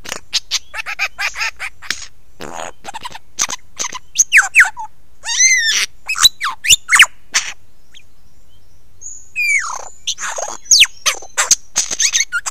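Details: Lyrebird giving a close-up performance at 9 AM, 16 November 2022: a dense medley of sharp clicks, cracking snaps, buzzy rattles and swooping whistles, with brief pauses between bursts.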